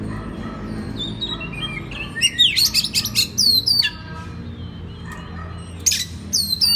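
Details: Master recording of an Oriental magpie-robin song meant to train other magpie-robins: loud high whistles and rapid up-and-down sweeps in short bursts separated by brief pauses, over a faint low hum.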